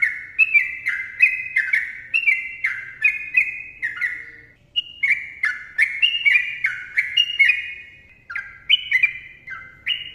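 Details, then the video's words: Sooty-headed bulbul singing a long, dense 'ropel' style song: bright, bubbly whistled phrases of quick falling and rising notes, sung in rapid succession with one brief pause near four seconds. "TRUCUKAN GACOR ROPEL PANJANG MBONANG SUARA RAPAT"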